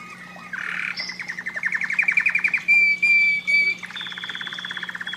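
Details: Singing canary, used to stimulate breeding, delivering a buzzy phrase and then a series of rapid repeated-note trills, a pure sustained whistle, and a lower rattling trill. A faint constant hum runs under it.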